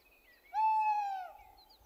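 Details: Tawny owl, the most common owl on Poľana, recorded on 1 April: a single steady, hollow hoot lasting under a second that fades at the end, in a quiet night setting.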